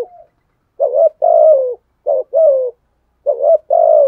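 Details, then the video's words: Decoy spotted dove cooing to provoke wild doves: low, husky coos in three phrases, each a quick stuttered double note then a longer falling coo, with silent gaps between. "chim cu mồi thúc gù bài bản nhất hiện nay, chim cu gáy kích bổi hiệu quả nhất hiện nay"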